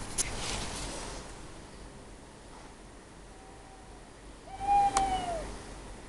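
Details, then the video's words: Owl calling at night outside a garden, one of two owls answering each other, one perched on a telegraph pole; a faint drawn-out note, then a louder, slightly falling tonal call near the end over low background hiss. "Two Owls Chatting"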